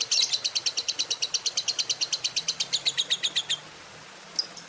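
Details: Lovebird delivering a morning ngekek-style trill meant to spur other lovebirds: roughly twenty-five rapid, high, evenly spaced chattering notes over three and a half seconds, then a pause and one faint note.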